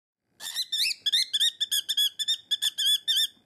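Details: A pet cockatiel screams loudly at the sight of its owner's fingers, a habit it took up after biting: a rapid run of about a dozen shrill, harsh, rising-falling squawks in quick succession.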